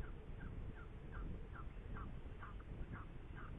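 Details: Saker falcon, Hungary, 8 May 2019, near a prey event at 10:04: a regular series of short descending chirps, about two or three per second, over constant low rumbling noise.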